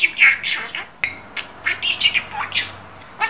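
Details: Budgerigar kept at home talking in fast, scratchy syllables punctuated by a sharp click and thin squeaky notes.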